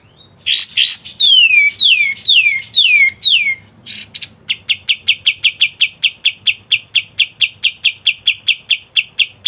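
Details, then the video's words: Kapas tembak master singer: opening with several loud descending slurred whistles, then a long steady run of sharp, evenly repeated high chips about three a second in ngebren style. "KAPAS TEMBAK GACOR NGEBREN RAPAT"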